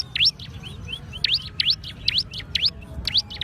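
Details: Bar-winged prinia giving bright, quick upward-sweeping chips spaced a few tenths of a second apart, with softer short whistles between and a low hum underneath.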